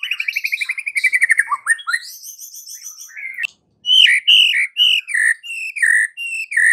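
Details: White-rumped shama song used to provoke a silent bird into singing, in the afternoon: a fast run of repeated notes, then rich whistled phrases mixed with sharp buzzy notes in quick succession.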